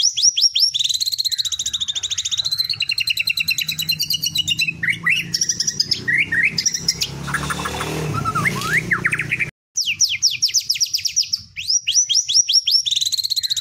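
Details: White-rumped shama (murai batu) singing in the teler style, full of canary-like phrases: rapid high rattling trills and sweeping whistles repeated in quick series, a harsher noisy stretch midway with low rumble, then fast high trills resume.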